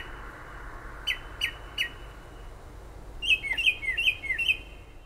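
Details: Unidentified bird singing outside a kitchen window in late night and early morning hours, near Toms River, New Jersey, about five miles from the shore: three short clear down-slurred notes, then a faster run of five paired notes, over steady low background noise.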